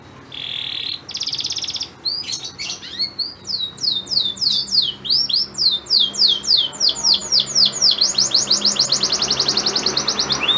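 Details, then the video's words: Male canary song to prompt a female to mate: short buzzy bursts, then a long accelerating series of downward-swept notes merging into a dense rapid trill. "Kenari Super Gacor Betina Birahi Langsung Ngleper"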